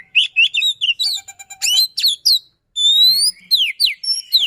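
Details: Oriental magpie-robin in full 'roll tembak' song, dense and insistent: quick chirps, a stuttering pulsed rattle, then long clear upslurred and downslurred whistles after a brief silence.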